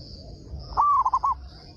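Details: Loud-voiced local zebra dove singing to prompt other doves to answer: a soft rise, a drawn-out level coo, then three short clipped notes in quick succession, with a constant high buzzing background.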